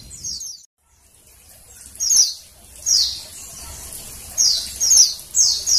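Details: Female Oriental white-eye calling, used as a lure to stimulate males to sing: thin, very high, downslurred chirps in short bursts, after a brief pause, roughly five separate bursts over several seconds, with faint low background rumble.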